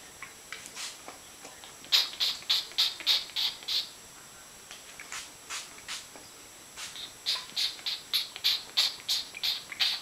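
A cockatoo mimics hairspray with rapid runs of short, hissing spray-like bursts, several groups of five to eight hisses, while a person speaks encouragingly.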